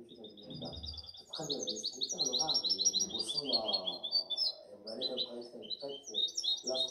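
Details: Seven-month-old European goldfinch hybrid from the 2019–2020 season singing a fast, continuous twittering song of high, rapid chirps and buzzy trills, while a man talks in Arabic throughout.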